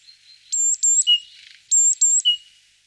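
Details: Great tit (Parus major) singing: a phrase of two very high, pure whistled notes followed by a lower, drawn-out whistle, given twice within three seconds against a silent background.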